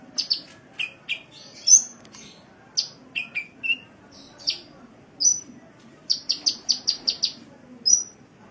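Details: Sunbird recorded for an Indonesian masteran used to train caged birds: irregular high chirps and shorter lower notes with gaps, a brief quick burst of piercing chips, and a final thin whistle.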